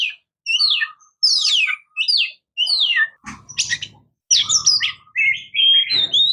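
An Oriental magpie-robin sings a varied run of clear whistles, rapid slurred notes and scratchy trills, with short phrases coming quickly one after another.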